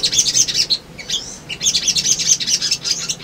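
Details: Male little spiderhunter singing in a lure recording meant to provoke birds into responding and seeking a rival: rapid, high, chattering chirps in dense bursts, with a brief pause near one second.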